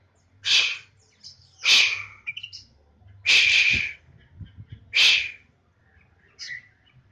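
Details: Caged Oriental magpie-robin of the kacer poci type, put out in the morning sun so it sings more eagerly: loud, sharp high chirps in separate bursts, roughly one every second and a half, with a low hum beneath.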